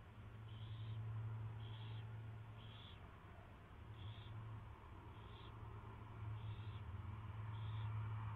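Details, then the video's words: Owl at a nest on its first feeding, recorded February 24, 2016 at 2:15 PM: short, hissy, high-pitched bursts repeat about once a second over a constant low electrical hum. "Cecil's First Feeding!"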